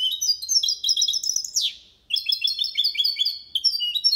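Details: Malaga-style song of a goldfinch × canary hybrid used as a singing tutor: rapid high twittering phrases, a sweeping downward slur, a brief pause, then resumed fast chirping trills.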